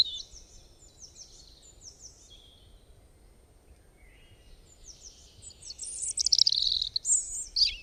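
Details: A bird, said to make many different kinds of sounds: a series of descending high chirps repeated about twice a second, then a dense, loud burst of buzzy, rasping high notes.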